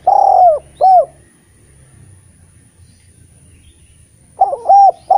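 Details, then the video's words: Eurasian collared dove singing as a master bird to stimulate spotted doves that are reluctant to call: two mellow, falling coos open, a quiet gap follows, then a fresh burst of clipped coos near the end. "Derkuku gacor cocok untk memancing tekukur bahan yg malas bunyi N menjadi Masteran derkuku terampuh"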